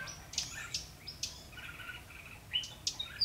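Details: Red-whiskered bulbul at a fight trap, 12 February 2016, calling to lure rivals. A burst of sharp chirps and short buzzy warbles, with a man speaking softly afterwards.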